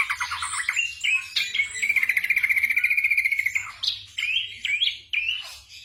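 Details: Night-time training song of a black drongo for caged birds: short whistles lead into a sustained trilled note, followed by clear upslurred whistles and a descending sweep.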